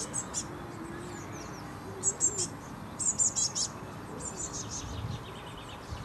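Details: Eurasian blue tit fledgling in bushes waiting for food, filmed on a Canon HV20: scattered bursts of shrill, high-pitched begging notes, grouped in threes and fours, over a low, even hum.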